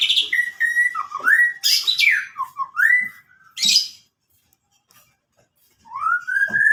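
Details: White-rumped shama singing clear whistled phrases: rising, upslurred notes with quick dips and a few buzzy bursts, then about two seconds of silence before one long rising whistle.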